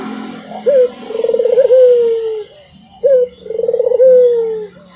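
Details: Nonstop cooing from a Barbary dove: clipped introductory note, rolling burred middle, and a long smooth falling coo, repeated twice with a faint low hum underneath.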